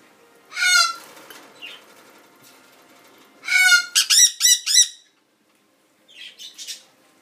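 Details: Pet Amazon parrot warking in a room while a sun conure takes a bath: a harsh squawk, then another followed by a rapid run of four raspy barks, and a fainter burst near the end.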